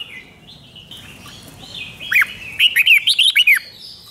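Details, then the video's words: Red-whiskered bulbul from Thailand giving a doubled five-syllable song style, used to teach young birds. Near-quiet start, then in the last second and a half a bright, rapid run of about eight slurred whistled notes, rising and falling. "เสียงนกกรงหัวจุกเบิ้ล2 เบิ้ล3 เพลง 5 พยางค์"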